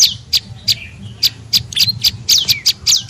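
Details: Olive-backed tailorbird call used as a bird lure: spaced, sharp, high chips at first, then quicker notes with downward-sliding whistles, faint hum underneath.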